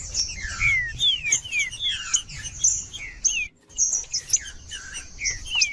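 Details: Green-winged saltator, 'cold' song used to get other saltators singing: rapid falling whistled slurs, a short silent gap midway, then more downward whistles over a high continuous hiss.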